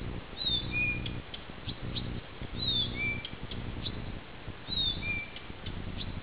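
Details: Blyth's reed warbler singing on a summer night, 11 June, at Peränne, Ähtäri: a high, thin, falling whistled phrase with a lower note after it, repeated three times about every two seconds over a steady low droning hum.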